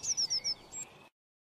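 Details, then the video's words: Eurasian blue tit (Cyanistes caeruleus), resident of deciduous and mixed woodland, singing four thin, very high notes, each sliding slightly down, then a brief buzzy flourish; nothing else heard. "O Canto da Ave Chapim azul (Cyanistes caeruleus)"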